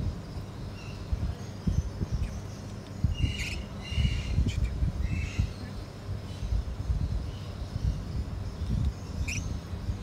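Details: A hand-raised baby olive lorikeet gives a few short, harsh squawks in brief bursts over a steady low rumble and handling thumps.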